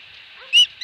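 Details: Osprey at its nest at Dunrovin Ranch with a fish, recorded 2020-08-22: two loud, clear whistled notes, sharp and slightly ringing, separated by a short gap, over a steady background hiss.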